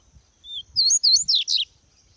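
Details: A Double-collared Seedeater, a pet bird nearing breeding season in cold weather, sings a quick, high phrase of thin slurred whistles that runs into a tumbling burst of sweet twittering notes, about a second long.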